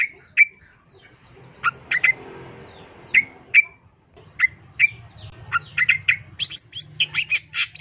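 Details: Long-tailed shrike in vigorous song, used as a lure, from 2022: spaced sharp ringing chirps repeated in pairs, quickening into a dense stretch of high scratchy chatter at the end, over a soft low hum.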